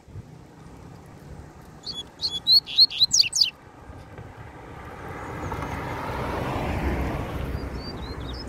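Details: Free-flying double-collared seedeater trying to reach a caged rival and singing. It gives a short burst of sharp, high twittering notes, then a passing vehicle's rising rumble with faint distant chirps.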